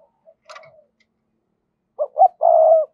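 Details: Spotted dove used as a decoy to lure wild doves. A few faint soft sounds come first, then a clear three-part coo: two brief notes and a drawn-out mellow final note.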